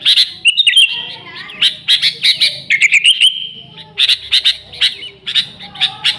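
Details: Sooty-headed bulbul in energetic, chatty song, used to lure the species: bursts of harsh, bright chirps in rapid clusters, with a sustained whistled phrase around the middle, separated by brief pauses.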